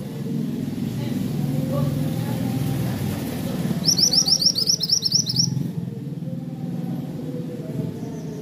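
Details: Zebra finch giving cor dor song: a quick string of high, sharp, looping chirps lasting under two seconds, over steady low traffic rumble.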